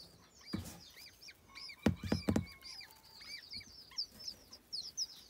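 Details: Young white eared pheasants keep up a stream of short, high, upslurred peeps, broken by a few loud knocking thumps near the start.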